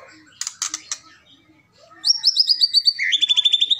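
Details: Rattling keretekan call of a Medan white-rumped shama, aimed at angering a rival: a few loud clicks, a pause, then a rapid, high, buzzy rattle that drops slightly in pitch near the end.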